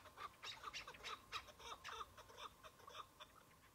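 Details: A lone Chukar partridge on a spring hunt, with snow still lying in patches, gives short, hoarse, repeated chuck notes with some raspy overtones, about two a second.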